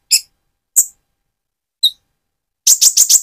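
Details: Spotted, trotol-stage Van Hasselt's sunbird singing as a lure to provoke and excite another bird. Three single, spaced, piercing high notes, then a quick run of five loud, buzzy chirps at the end.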